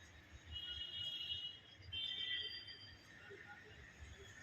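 A myna gives two long, steady, high whistled notes, each lasting over a second, over a low background rumble.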